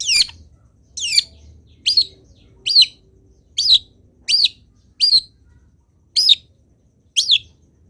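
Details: Long-tailed shrike master recording meant for training other birds to sing: a series of nine sharp, high chipping notes that bend downward, spaced under a second apart, with a faint low hum.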